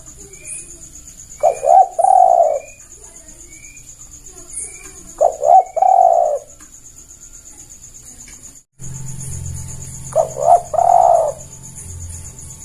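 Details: Spotted dove calls played as a lure for catching birds: three separate cooing phrases, each a short stutter of low notes running into a longer rolling coo, spaced about four seconds apart, over a faint steady hum and high ticking noise.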